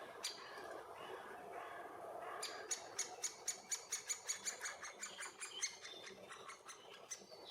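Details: Great spotted woodpecker, a young male with its mother at a nest tree hole shared with bees, Puszcza Bydgoska forest near Bydgoszcz, Poland, June–July 2023: a quick run of sharp, hard clicking notes, about fifteen in three seconds, over soft background hiss.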